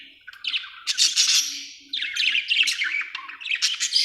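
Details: Budgie chatter: rapid warbling chirps and harsh squeaky notes in bursts, rising and falling, overlapping voices with short pauses between phrases.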